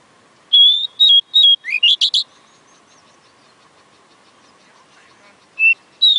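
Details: Oriental magpie-robin singing: a quick run of clear whistled notes and rising sweeps over the first two seconds, a long pause, then short whistled phrases resuming near the end, over a faint steady low hum.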